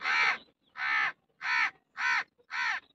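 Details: Hoarse, grating cawing of an Indian crow, five evenly spaced harsh caws about half a second apart, each short and roughly equal in loudness, in a quiet setting.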